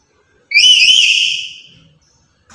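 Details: Loud lory kept as a lure and tutor for other lories: a single shrill, wavering whistled screech lasting about a second, fading out, followed by the start of another.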